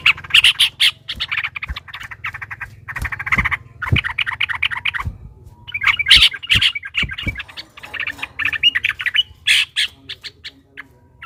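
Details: Agitated yellow-vented bulbul (trucukan) delivering a long rapid 'ropel' song as bait to make other bulbuls answer: loud squawky chatter in irregular bursts, with sharp clicks and a low steady hum underneath.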